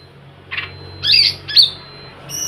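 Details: Oriental magpie-robin lure sound for prompting silent birds to sing; three short harsh rasping notes, the middle one loudest, above a low background hum.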